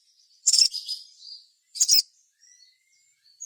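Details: Crimson sunbird in full vigorous song, played as a lure to stir other birds into singing. Two loud, high, buzzy twittering bursts about 1.3 seconds apart, each trailing into thin whistled notes.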